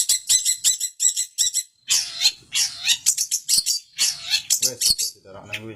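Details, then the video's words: ['Long-tailed shrike from Samarinda singing hard: harsh buzzy rasps alternating with quick high clicks and chatters, with a voice audible briefly near the end.'] "Cendet Gacor"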